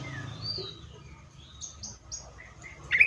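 Seychelles magpie-robin giving a varied song of short clear whistles and brief notes at shifting pitches, ending in a louder burst of chattering phrases.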